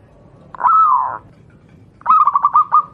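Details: Wild local zebra dove, perkutut lokal alam, offered as a master voice for training caged doves; a smooth drawn-out coo, then a pause and a bubbly run of quick looping notes, clear and loud.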